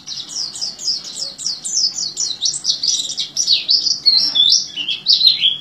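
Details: Oriental white-eye in full "teler" song, a style likened to the orange-headed thrush: a fast run of sharp high chirps that turns into longer descending slurred whistles near the end.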